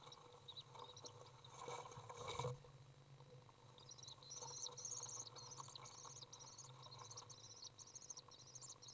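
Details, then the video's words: A Common Swift parent enters a nest box to feed a young bird on June 18th 2011. After some rustling and a brief knock, a fast stream of thin, high, chittering begging notes starts and runs on steadily to the end. "Swift feeding young"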